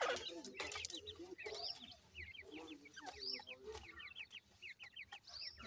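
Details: Feeding francolin chicks give dense rows of thin, falling peeps, several birds calling at once in quick succession. Low clucking and sharp tapping noises sound underneath.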